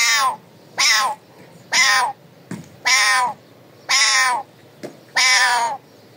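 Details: Raw calling of a pet parrot: six loud, rasping screeches in a steady series, about one per second, each with a slightly falling harsh tone, with small clicks between them.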